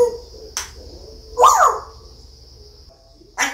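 A grey parrot gives one brief, speech-like utterance that sweeps up and then down. A steady high electrical whine and a couple of clicks sound behind it.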